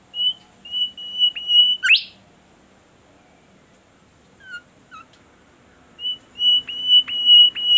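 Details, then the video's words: Bimoli bird singing actively and melodiously: a series of steady high whistled notes, about five in quick succession, ending in a sharp rising sweep, then a pause with two faint notes before the whistled series resumes. "burung bimoli gacor merdu suaranya"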